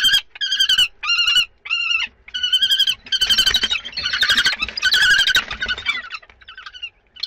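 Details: Common kestrels at the second and third prey transfer, 2 May 2013. Rasping trilled calls quicken into a dense, overlapping, scratchy chatter, then fade to a few faint notes.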